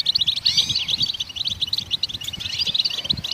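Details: Goldfinch song meant to get other songbirds singing: rapid chirps and sparkling trills in close succession, with a couple of curving whistled notes near the start.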